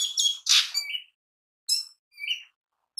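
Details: Mini green leafbird in full, lively song, used as a lure and daily training material for other birds; bright chirps and short whistled notes near the top of the range, a dense burst then two brief phrases after a pause.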